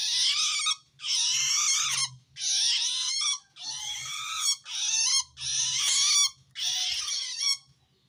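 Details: Long-tailed shrike's threatened call, aimed at wild shrikes. Seven loud, rasping, noisy screeches, each lasting under a second and following one another steadily, with a soft low rumble in the background.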